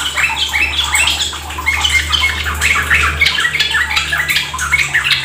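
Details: Yellow-vented bulbul in fast, continuous 'ropel gacor' singing style: dense, overlapping bubbly chattering notes with quick rising and falling slurs, several voices at once, over a steady low hum through most of the recording.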